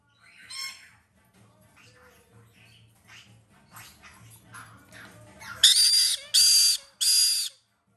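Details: A hand-fed young female white-bellied caique gives three loud, harsh, raspy squawks in quick succession during feeding, after softer scattered chirps, over a low background hum.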